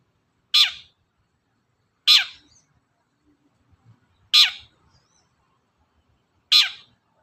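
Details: Cendet (long-tailed shrike) provoking song from other birds: four harsh, raspy downslurred notes at about two-second intervals, with faint low rustles between.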